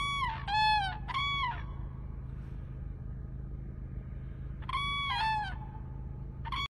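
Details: Cranes giving rapid runs of two or three resonant, bugling notes with a falling tail, then a quiet gap before another burst, with a constant low droning hum underneath.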